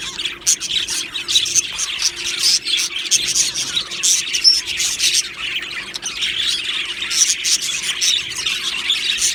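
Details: An aviary colony of Australian budgerigars chattering, called happy: constant high warbling and scratchy chirps from several birds overlapping, with an occasional clear whistled note standing out.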